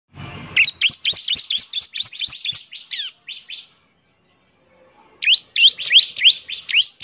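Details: Bar-winged prinia song used as a lure recording, a semi-active singer. Rapid bursts of sharp, high chirped notes: about a dozen quick notes over two and a half seconds, a pause, then another fast burst of similar chirps.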